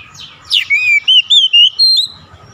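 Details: White-rumped shama song used to draw other shamas into song: a short sharp downward sweep, then a series of clear, sustained whistles stepping up and down in pitch, evenly spaced.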